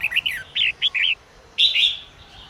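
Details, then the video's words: Female red-whiskered bulbul singing to spur males into song: quick series of short, clear warbling notes rising and falling, followed by a longer, slurred phrase after a brief pause. "chào mào mái hót kích trống căng lửa"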